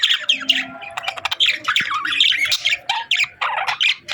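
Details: Happy parakeets, here budgerigars, chirp rapidly in short, sharp, metallic notes and scratchy squawks, several per second, forming a busy, clattering chatter.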